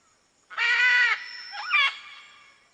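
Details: Macaw letting out a loud, harsh squawk held for about half a second, then a shorter, bending, warbling screech.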